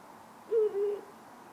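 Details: Ural owl in town at night, one of a pair perched on power lines and antennas: a single low two-part hoot, the first note slightly higher and shorter, the second longer and flat, over quiet hiss.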